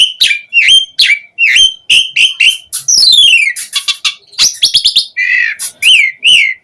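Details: Asian pied starling song used as a lure to draw other starlings into responding and singing: a rapid run of loud whistled notes, many bending sharply down then levelling, mixed with harsh buzzy chatter and a rising sweep.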